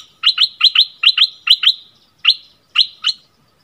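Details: Bulbul giving its newest 'double' song, recorded around 24 February 2021: crisp paired whistled notes repeated about seven times in quick succession, each pair sharp and bright, with short gaps between the later pairs; clean, quiet background.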